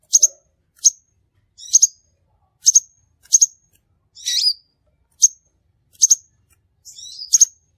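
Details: Used as a lure for trapping, crimson sunbird sounds: quick high-pitched paired chips repeated at uneven intervals, interrupted midway by one longer, rougher twittering phrase, on a clean background.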